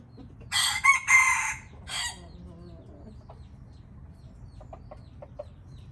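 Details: Indian red junglefowl giving a short, clipped crow of two rough bursts and a brief trailing note. Faint, soft clicks follow in a quiet setting.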